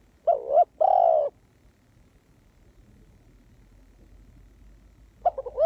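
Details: Spotted dove kept as a ground decoy to lure wild doves, giving two short hollow coos followed by a brief gap, then the opening notes of another phrase near the end. Background otherwise quiet.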